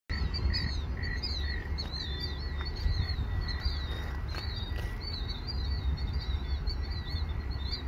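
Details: A flock of killdeer flying over Bahariterra gives shrill, high, wavering calls in quick overlapping bursts, over a steady low rumble of wind and a faint constant whine.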